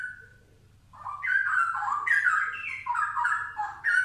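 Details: A Straw-headed bulbul opens with a soft whistle, pauses, then bursts into a rich, bubbling run of fast, melodious whistled notes that climb and drop in cascading phrases over a faint low hum.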